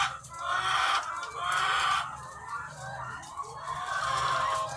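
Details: Thousands of egg-laying hens on a farm: a dense, continuous chorus of overlapping clucks and drawn-out calls, swelling and fading in waves, with a steady low machinery hum underneath.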